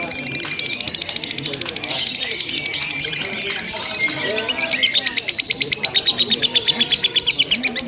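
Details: Simulated lovebird contest with long ngekek chattering: a steady torrent of high, rapid, scratchy notes that grows louder and more rhythmic halfway through, with faint low murmuring underneath.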